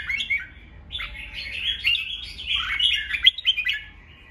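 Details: Red-whiskered bulbul giving a fighting song meant to provoke rival and newly caught birds into singing back; bright chirpy warbled phrases around high pitch, a short phrase then a longer run of tumbling notes, with faint low background rumble.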